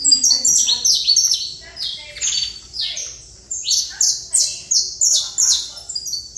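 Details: Saffron finch in trator song: a dense burst of bright, high chips, a brief quieter gap, then evenly spaced sharp down-slurred notes about two or three per second.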